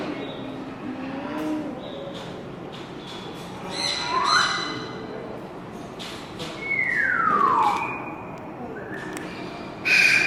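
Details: A captive striped owl born in 2016 at a Japanese bird park, possibly calling its keeper, hoots: two loud whistles, one rising and one long falling slur, a few seconds apart, over an indoor murmur with soft thumps.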